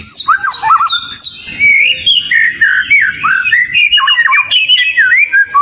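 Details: Oriental magpie-robin singing a lure song: loud, varied whistled phrases sliding between low and high notes, with quick repeated falling whistles at the start, then rapid chattering notes, continuous and strong throughout.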